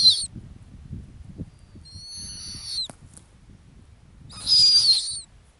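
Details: From an Arctic ground nest, a female snowy owl lets out a faint high whistle, then a clearer, louder wavering whistled note near the end, with soft low background sound.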